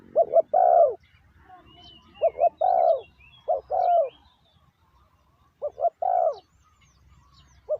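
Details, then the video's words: Decoy spotted dove cooing to draw in wild doves, several phrases of paired short notes and a long falling coo, with scattered whistles and chirps of other birds above. "chim cu mồi gáy gọi bổi"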